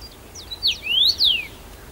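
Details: First-summer male Common rosefinch in song at Bazel, Belgium, early June 2015; one loud whistled phrase with soft lead-in notes, a falling slur, a long rising whistle and a falling close.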